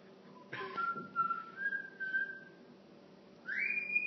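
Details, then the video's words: Pet cockatiel indoors, filmed on a phone, whistling La Marseillaise: a long pure held note that steps slightly higher, a pause, then a brighter rising whistle, with faint room noise. "Bird singing La Marseillaise"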